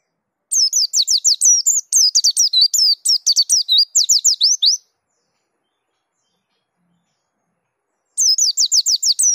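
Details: Dakun-type white-eye in peak rolling song displaying its repertoire: long fast strings of thin, very high downward-sweeping whistles and chirps lasting about four seconds, a pause, then another quick burst; no other sounds.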